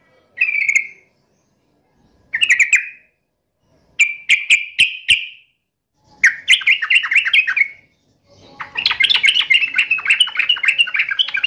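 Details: Sooty-headed bulbul singing in an agitated, fighting mood: short bursts of bubbly whistled notes separated by pauses, ending in a longer rapid chattering phrase.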